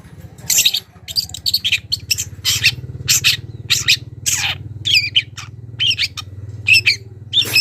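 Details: A wild young long-tailed shrike calls toward a rival, mixing harsh screechy bursts with thin, high whistled notes that may be mimicked phrases. A steady low hum is heard underneath.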